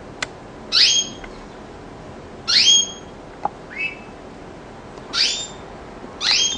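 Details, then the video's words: Canary uttering sharp, high, upward-sweeping whistled notes in pairs, repeated roughly every two seconds, separated by faint clicks and a quieter lower note. "kenari bernyanyi"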